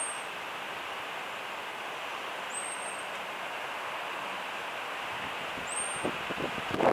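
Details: Warning call of a common blackbird, given as three thin, high-pitched whistles that sweep up and then hold steady, roughly 1.5 to 3 seconds apart, against constant noise, with rustling and clattering near the end.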